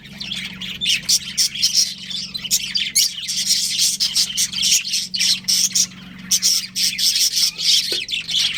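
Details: Breeding pair of pet budgerigars in a family group, chirping: a busy chatter of high, scratchy warbles and squawks in rapid bursts with brief pauses, over a faint low steady hum.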